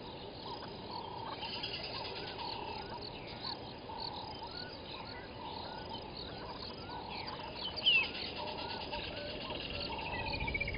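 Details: Ring-necked dove repeats soft, rhythmic coos over a steady insect buzz and distant bird chirps at 07:18 on 01/11/21, at Gowrie dam waterhole, Djuma Game Reserve, Sabi Sand, South Africa.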